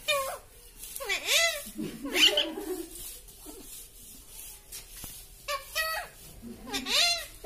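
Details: A talking parrot giving loud, sweeping, voice-like calls that dip down and swing back up, in clusters with quieter murmured sounds between them, repeated several times.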